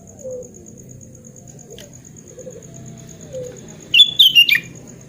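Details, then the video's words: Sooty-headed bulbul singing actively, used as therapy for a bird that no longer sings; after several seconds of soft low murmuring, a quick burst of bright whistled notes, three to four syllables falling at the end. "KUTILANG GACOR SUARA ASLI ~ TERAPI KUTILANG MACET BUNYI"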